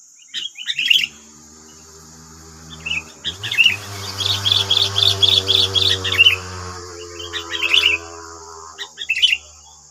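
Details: Wild sooty-headed bulbuls in West Lampung, Indonesia, nine birds answering a single decoy bird: bursts of bright chirps and short trills, a brisk chattering run mid-clip, over a steady high whine and a low hum.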